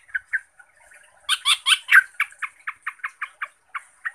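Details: Yellow-vented bulbul, a caged songbird roused to agitated, excited singing by a playback of another bulbul's call, gives bubbly gurgling notes breaking into a harsh burst, then a quick run of about a dozen liquid chips.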